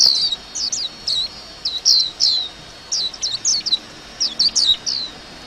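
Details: White-eye singing chirpily: sharp, high, down-slurred chirps in short bursts of two or three, separated by brief pauses, over a faint hiss.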